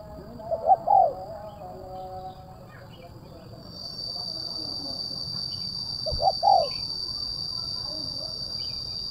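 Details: Spotted dove (tekukur) cooing, one phrase of short low notes near the start and a second phrase about six seconds later, with quiet gaps between and a steady high-pitched hum throughout.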